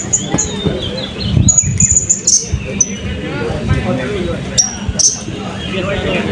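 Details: Blue-crowned hanging parrot at the Balingian open songbird competition of 2024, uttering scattered high, thin whistles and clipped trills between quieter spells, with voices and low hum around it.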